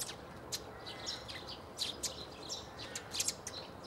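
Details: Eurasian tree sparrow calling at Bundek in Zagreb, Croatia, on 9 March 2015: short, high, scratchy chirps at irregular intervals, in clusters near the end, over faint steady background noise.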